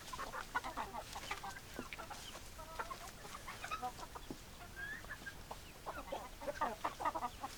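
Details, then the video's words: Several hens clucking together, short overlapping clucks and murmurs continuing throughout against a noisy background. "Chicken Sounds Noises Hens Clucking Roosters Crowing"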